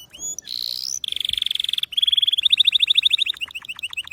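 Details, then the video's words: Canary singing a varied song: a few high whistled notes, then a rising buzzy tone, then fast rattling trills that speed into sharp chirps repeated several times a second. "غناء كناري لاسكوت ،لن يصمت كناريك عند سماع هذا الوحش Canary Bird singing"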